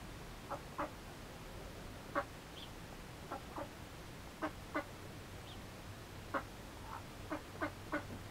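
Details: Hand-tame male mallard in hand-taming practice gives about a dozen short, soft, raspy notes, some in quick pairs, at irregular intervals against a faint low hum.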